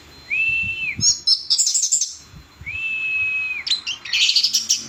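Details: Orange-headed thrush singing vigorously with a loud, clear voice: a long level whistled note, then a burst of rapid high twittering and squeaky phrases, the pattern repeated twice, over a low background hum.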